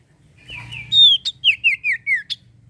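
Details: Common iora singing actively, used as a lure to get young trainee birds and birds that have stopped singing to sing. A short phrase of clear whistled notes, each sliding downward, repeated about six times in quick succession.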